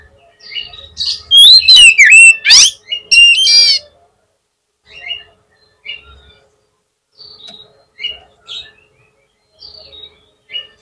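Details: Oriental magpie-robin (kacer) lure song meant to provoke a rival to answer quickly: a loud burst of sweet whistles sliding down and up with harsh rasping notes, then softer scattered high chirps with pauses.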